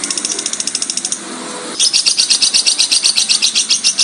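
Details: Lovebird calls played to provoke other lovebirds into calling: a fast harsh chatter of rapidly repeated high chirps, about four per second, pausing briefly and then resuming louder.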